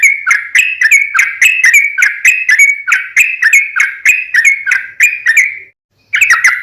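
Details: Sooty-headed bulbul song played to lure others into calling back: a long, even stream of quick whistled notes, about one per second cluster, stopping briefly before resuming.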